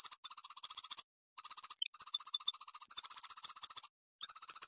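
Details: White-breasted Nuthatch (Sitta carolinensis) song, edited into a dense sequence for use as a tutor recording: a fast, even string of high notes, about twelve a second, in bursts of roughly a second with brief gaps.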